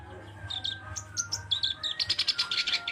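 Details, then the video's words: Black-browed reed warbler: slurred whistles and buzzy notes build into a fast rhythmic chatter of high notes, with a steady thin tone and a low hum underneath. "Burung Kerak Basi Alis Hitam "Sincan" Gacor!!!"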